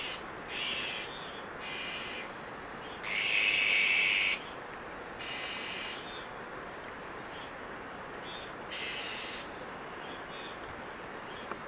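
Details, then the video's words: Azure-winged magpies raising young at Maeji-ri, Wonju, Korea: a series of five or six hissing, raspy bursts of varying strength, the loudest lasting over a second, spaced irregularly over steady background noise. "물까치의 육추 #1"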